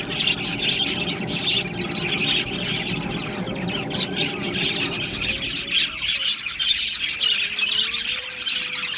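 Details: Australian budgerigars chirping as a flock, a dense continuous high chatter of rapid twittering notes with scattered squawks, and a few lower drawn-out whistled tones in the second half.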